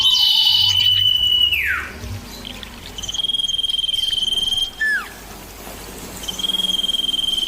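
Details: Common iora singing, clear and loud, birds answering one another: a long steady high whistle that drops in a sharp downward slur near two seconds, then a second sustained whistle after a short pause; faint high insect-like hum behind.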